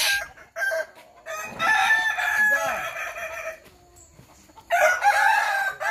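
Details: In a practice crowing contest in Sawah Lunto, Kukuak Balenggek roosters crow in two bursts: a long harmonic crow from about one to three and a half seconds, then a quieter gap, then renewed loud crowing.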